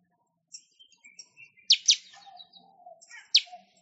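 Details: A weaver, used as a master song for training songbirds, chatters in a busy run of short high ticks and twitters, broken by two or three harsh, sizzling bursts and a few lower warbled notes.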